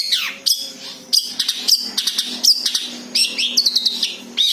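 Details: Natural cendet song, free of borrowed phrases, meant as a lure for other birds: loud shrill whistled notes and short downward sweeps in tight clusters of chirps.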